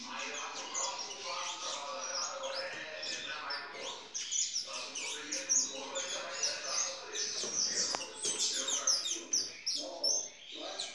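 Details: Captive intense-yellow saffron finches at a licensed bird breeder, 7 September 2019: long stretches of crowded high chirping and twittering from several birds, swelling and fading, with a sharp click near the middle and quiet voices.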